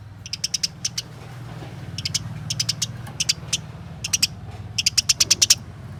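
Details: Fighting house sparrows, caged, give short groups of high sharp chirps spaced across the recording, ending in a quick run of about six, over a steady low droning hum.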